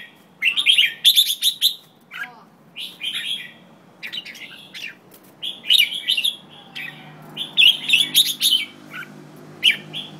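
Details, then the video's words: White-tailed jambul chattering busily: quick bursts of harsh, rapid chirps and rattles, irregularly spaced, with a faint low hum underneath. "White-Tailed Jambul"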